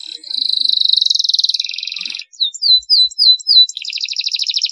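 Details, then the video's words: Long-duration canary training song for young birds: a sustained buzzy pulsed trill, a pause, a handful of sharp falling whistled notes, then another rapid, bright rattling trill. "masteran kenari durasi panjang, masteran kenari paud agar cepat gacor"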